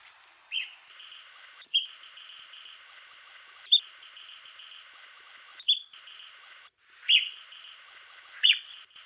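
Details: Sharp, high-pitched calls from a red-cockaded woodpecker spaced about two seconds apart, over a steady high droning background.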